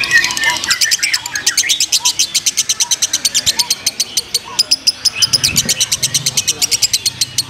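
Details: Competition lovebird from Purwakarta, konslet class, delivering a long rapid series of sharp high clicking notes, roughly three per second, over faint background voices.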